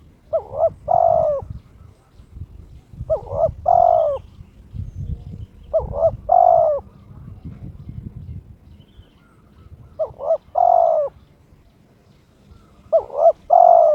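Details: Spotted dove kept as a pet, in breeding condition, challenging a rival: five repeated coo phrases about every three seconds, each a short double note ending in a longer, soft, hollow coo, with faint background rumble.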